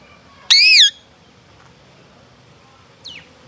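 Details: A rose-ringed parakeet gives a single loud, harsh, arching screech lasting under half a second. A much fainter short call follows after a long quiet pause.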